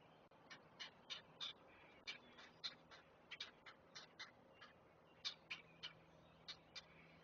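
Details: Hungry great blue heron chicks being fed on the nest, recorded by a camera at Chesapeake: a long run of rapid, clipped chattering notes, often in twos and threes, loud and continuous, with a faint hum.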